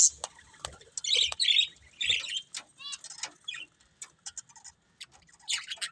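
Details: Pet budgerigars chirping indoors: scattered short bright chirps and a buzzy chatter burst, with quiet gaps and faint low thumps between calls.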